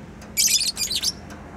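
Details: A pet bird at home delivers two loud bursts of rapid, shrill, buzzy twittering, each about a third of a second long, in a quiet room.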